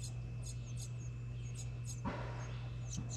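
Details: Young house wrens in a recycled license plate nest box at a New England home, fed by a parent, give short high scratchy notes about every quarter second, with one soft thump and a constant low hum.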